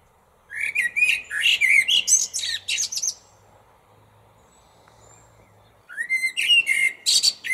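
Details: Male-style blackbird song delivered at lunchtime from a small tree beside a parking lot at close range: rich warbled phrases with high chattering tails, a silent gap of nearly three seconds, then a new fluted phrase.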